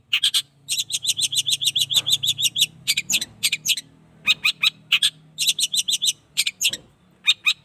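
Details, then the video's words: A young Long-tailed shrike, eight months old and caged, sunned for the first time, delivers rapid chattering bursts of scratchy notes in long runs broken by brief pauses, with a steady low hum underneath. "cendet paud 8 bulan..jemur perdana"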